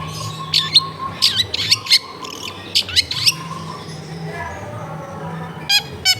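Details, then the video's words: Long-tailed shrike song used as therapy to prompt a reluctant bird to sing, recorded at home in a crowded neighbourhood: bursts of harsh, scratchy chattering notes in quick clusters, a pause, then two sharp notes near the end, over a steady low hum. "TERAPI CENDET MALAS BUNYI LANGSUNG NYAUT"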